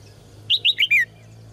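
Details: Caged red-whiskered bulbul, used to trigger strong singing in males: four rapid whistled notes, the last one slurring downward, over a low steady hum.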